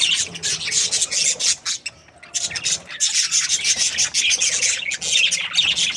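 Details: Happy breeding pair of budgerigars giving rapid, rasping, scratchy chatter, high and busy, broken by a short quiet spell in the middle.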